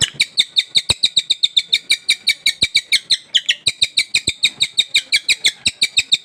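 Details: Newly acquired caged Sultan tit singing energetically right away: a fast, steady run of bright, high chirping notes, about five each second, each with stacked overtones, alongside sharp clicks.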